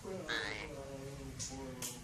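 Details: Captive Javan pied starling, native to Java, trained to speak Javanese, producing a speech-like phrase with voiced harmonic tones, a rising whistled slur near the start, then two brief high sharp notes, in a small indoor room.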